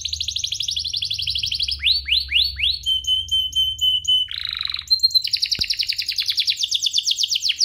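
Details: Canary song used to rouse other canaries: a fast buzzy trill, a few swooping notes, a steady pure whistle, a harsh rolled burst, then a long rapid pulsing trill with a faint click.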